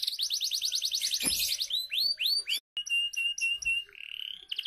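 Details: Canary song used as a lure to get young canaries singing: a rapid trill of repeated down-slurred notes, then upswept whistles, a brief cut, a steady high buzzy tone and quick chattering notes, with a low thump early on.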